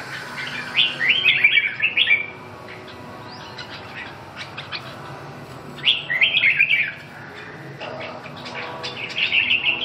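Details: Red-whiskered bulbul singing short, bright warbled phrases. Two loud bursts of quick, chirpy, rising-and-falling notes are separated by a few seconds of quiet, and a third phrase begins at the end. Faint background hum.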